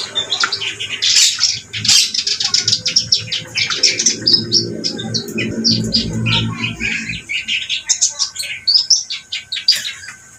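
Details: Energetic reed warbler song, a long unbroken stream of grating, chattering and squeaky notes delivered rapidly and rhythmically, with a low rumbling noise underneath for the first seven seconds.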